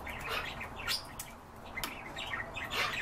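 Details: European bee-eater calls: short rolling chirps repeated several times over three seconds, some overlapping as from more than one bird, with soft rustling and background hiss.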